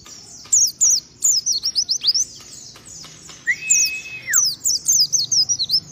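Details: Group of wild-type white-eyes readied for a singing contest; rapid high thin chirps and twittering slurs in bursts, with one steady whistled note held about a second midway.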